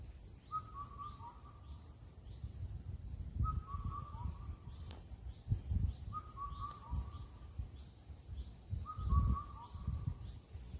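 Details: Clear, rhythmic whistles of an Indian cuckoo on Cheonmasan, Incheon, Korea, calling all night as the lean season ends: four repeated four-note phrases roughly every three seconds, with high chirping of other birds and low rumbling noise throughout.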